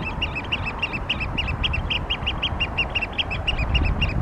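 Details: Wild oystercatcher at Tsu calling in a rapid series of shrill, ringing kleep-like notes, evenly spaced and insistent, with heavy low rumble of wind or traffic underneath.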